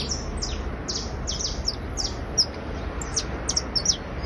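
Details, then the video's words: Criollo basto canary trilling in short, sparse phrases of thin, high downward-slurred notes spaced unevenly, with quiet low background noise. "Canario criollo basto trinando"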